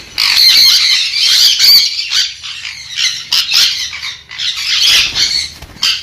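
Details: Sun conure giving harsh, grating screeches in a near-continuous run of rough bursts, with brief dips between phrases.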